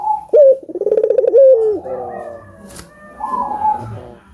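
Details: Albino collared dove singing, used to prompt other doves into calling: a sharp upward note, then a rapid throbbing trill of coos ending in a drawn-out falling note. Quieter dove coos follow afterward.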